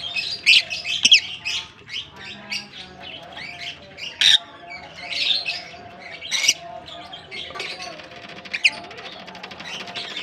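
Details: A colony of African lovebirds gives loud, shrill squawks and chattering chirps in uneven bursts, several sharp peaks standing above a constant twittering background and a steady low hum.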